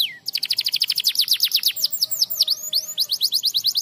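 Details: Canary used to spur silent canaries to sing: a brief falling whistle opens a rapid series of sharp repeated sweeping notes, steady and high-pitched, with a faint tone underneath.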